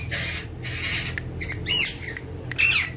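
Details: Two ringneck parrots, said to be dancing and talking companions. They give a few short, raspy squawks with wavering harsh notes, about three seconds in all.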